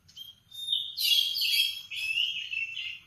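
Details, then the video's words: Canary singing in the morning: a sustained high whistled note sliding into bright, rapid trilled and warbling phrases, rich and continuous for about two seconds, then softer chattering twitters. "Kicauan kenari di pagi hari"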